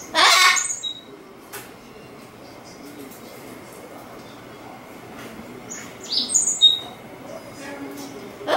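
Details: Amazon parrot indoors, calling to a white cockatoo upstairs, opens with a sharp, rasping squawk, then a long quiet stretch and a cluster of faint high whistles and chirps before another harsh cry at the end.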